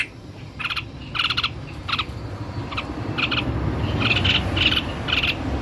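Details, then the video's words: White-necked babbler in energetic song: short ringing whistled notes in small clusters, repeated unevenly through the clip, with constant low background noise. "SUARA TEPUS LEHER PUTIH GACOR"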